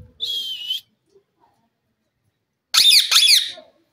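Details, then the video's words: Wild jungle parrots in evening chatter: one thin, high whistled note, a pause, then two loud harsh grating screeches in quick succession. "jungali parrot sound,parrot evening time talking"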